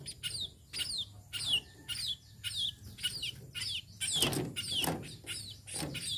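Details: Tame sparrow giving sharp, high, downward-sliding chirps in quick irregular bursts, roughly two each second, over a low background hum with some soft thumping.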